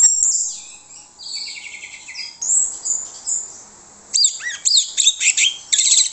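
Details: Orange-headed thrush used as a lure bird, singing varied high warbled phrases, a pulsed trill, and downward-slurred whistles, then a string of loud, sharp, repeated chirps in quick succession.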